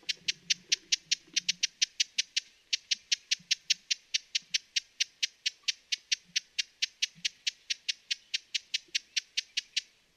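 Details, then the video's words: Dense run of dry, high chip notes from a broad-billed hummingbird, several per second for ten seconds, briefly pausing near the three-second mark, with low rumbling at the start. "Broad-billed Hummingbird Bird Sounds"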